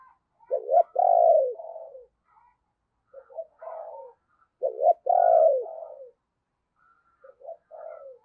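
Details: Captive decoy spotted dove cooing in the morning to lure wild doves: two loud phrases, each opening with short hooked notes, then a long drawn coo and softer trailing notes, repeated about four seconds apart with quiet fainter coos between.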